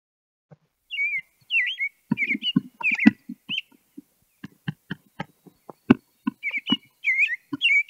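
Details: American robin (Turdus migratorius) song: short, clear whistled phrases rising and falling in bursts about every second, described as sounding like "cheerily, cheer up", over a steady run of dull knocks and clicks.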